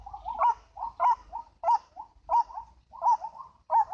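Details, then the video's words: White-breasted waterhen, known locally as ruak-ruak, in a recording used to lure birds: hoarse, croaking notes repeated steadily about every two-thirds of a second, each a short rough burst with a softer trailing note, six in four seconds. "MIKAT BURUNG RUAK RUAK"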